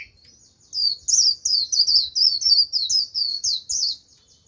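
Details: Lure Japanese white-eye in full líu song to attract wild birds, a continuous four-second stream of loud, high, rapid slurred notes repeated several times a second.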